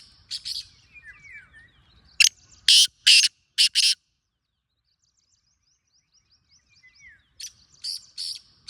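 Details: Loud black francolin call: a clipped start of a phrase, then a full series of five harsh rasping bursts over about two seconds, silence, and another phrase beginning at the end, with faint bird chirps between.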